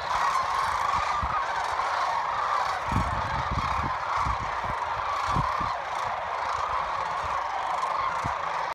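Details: Huge flock of sandhill cranes at evening fly-in on Nebraska's Platte River, giving constant overlapping guttural, rolling calls, with intermittent low gusts of wind noise.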